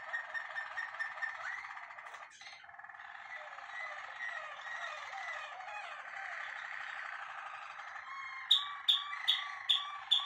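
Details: Malinois Waterslager canary, a contest first-prize winner, singing; continuous rolling, bubbling trills and liquid warbles, shifting through passages, ending with sharp clicking notes repeated about twice a second.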